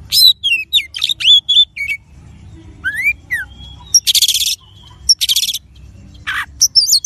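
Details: Oriental magpie-robin; song; played to prompt other birds to sing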